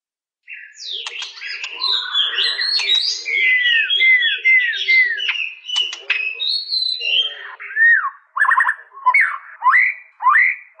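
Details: White-rumped shama singing a rich, varied song: sweet downslurred whistles repeated in a short series, buzzy notes and sharp clicks, then a run of looping, rising and falling whistled phrases separated by brief pauses.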